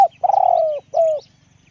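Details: Spotted dove with a big voice giving a deep coo: a long pulsed note that slides gently downward, then a shorter smooth coo after a brief pause, with faint low background hum.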